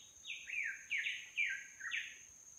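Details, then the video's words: On Babeldaob in Palau, a bird sings from roadside broadleaf tropical rainforest: clear, falling whistled phrases given in quick succession, about four notes in under three seconds, with a constant thin high-pitched hum behind. "Forest Sounds and Bird Song"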